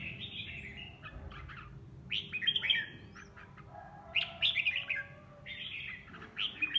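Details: Home-kept red-whiskered bulbul singing during sparring practice. Clear whistled phrases come in separate bursts with gaps of a second or more, mixed with a few sharp chirps, over a steady low hum.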